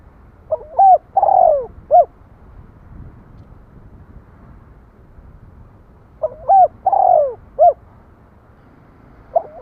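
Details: A spotted dove coos twice, each phrase of two quick notes, a long sliding coo and a short end note, spaced about five seconds apart, a third phrase beginning at the close; faint low rumble behind.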